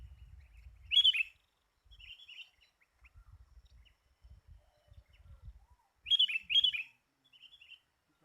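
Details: Sooty-headed bulbul calls from a trapping lure recording: two loud, sharp doubled chirps a few seconds apart, with softer scattered notes and low background rumble.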